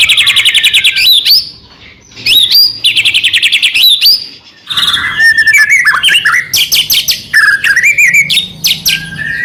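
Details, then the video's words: Song of a white-rumped shama meant to provoke other shamas into singing, varied and energetic, mixing fast repeated notes, slurred rising whistles and harsh chattering runs with brief silent gaps. "murai batu gacor AMPUH buat PANCINGAN murai batu agar bunyi"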